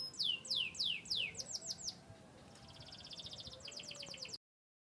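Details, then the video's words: Canary of Yorkshire descent from Turkey and the US giving loud downswept whistles that speed into a short tumbling run, then a soft, even trill before falling silent. "chirping birds.Canary bird. descendant of yorkshire"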